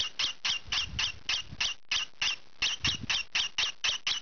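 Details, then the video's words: Young green pied rosy-faced lovebird, kept indoors, calling noisily while scratching: harsh, high squawks repeated about four times a second in a steady run, with a brief pause near two seconds and faint scratching rustle beneath. "Noisy Lovebird loves scratching"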